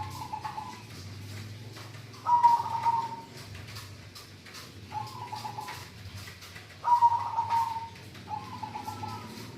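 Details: Frequent singing from a local zebra dove, five short rattling coo phrases roughly every one to two seconds, some louder and gently falling, over clicks and low hum.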